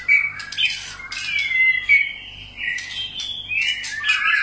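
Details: White-rumped shama singing a song of many varied voices: clear whistled phrases with long gliding notes, interspersed with harsher squawky bursts, delivered in a continuous flowing sequence with brief pauses.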